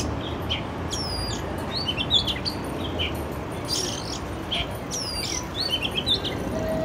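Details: Urban Oriental magpie-robin, recorded with a Canon R6, delivers varied clear whistles, sliding sweeps and short chirps in loose phrases over a constant low traffic rumble.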